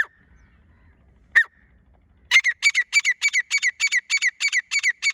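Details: Female grey francolin, teetar, recorded 24 January 2025: two single sharp notes, then a loud fast series of harsh, ringing repeated notes, about three per second, steady and clear against a quiet background.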